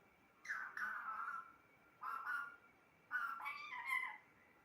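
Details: Pet parrot talking: drawn-out, slightly squeaky word-like sounds in three groups, the last rising higher and more varied, in a quiet room.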